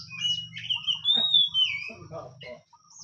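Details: Oriental magpie-robin of the hot-tempered type, kept as a songbird: a long clear whistle sliding down, then rising, mixed with short chirps, while a man talks quietly underneath.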